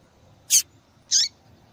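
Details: Two brief, high-pitched chips from a female yellow-bellied seedeater, about half a second apart, the kind of female call used to encourage a quiet male to sing.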